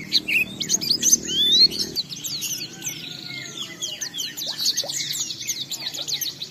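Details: Oriental white-eye in ngalas singing style, played to coax other white-eyes into singing: a busy stream of high twittering notes and sweeping thin whistles, with a low hum in the first two seconds.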